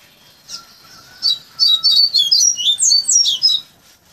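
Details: Caged Bahia coleiro whose final learned song is a lovely flauteado, built by tutoring from chick age: a soft call, then a brisk sequence of bright high whistled notes zigzagging in pitch for about two seconds.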